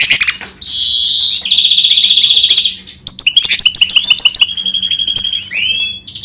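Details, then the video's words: Singing goldfinch × canary hybrid delivers long steady high trills and buzzy stretches, then choppy stuttering notes and rising whistled sweeps. "Гибрид щегла с канарейкой/ سایره کنری/ hybrid of goldfinch and canary"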